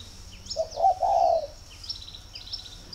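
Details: Captive spotted dove at a dove-keeping garden in Ba Vì, Hanoi, Vietnam, cooing as a sign of readiness to pair: one low, mellow phrase of two short notes and a longer rolling coo, with faint high chirps of other birds.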